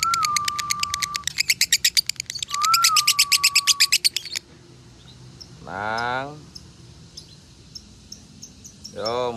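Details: A Salatiga lovebird singing in the 'konslet' style gives two bursts of rapid, shrill chirping over a steady human whistle, followed by a man's voice.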